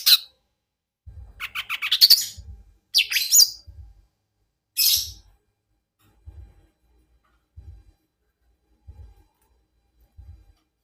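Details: Green leafbird (cucak ijo mini) making an unusual call: bursts of shrill, harsh, high notes in the first five seconds, then only soft low thumps at regular intervals.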